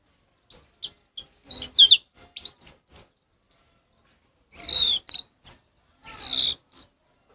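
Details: Orange-headed thrush singing in the ngeplong style, used as a master recording to train captive birds; a run of quick high chirps and whistles, a pause, then louder buzzy rising phrases and sharp notes.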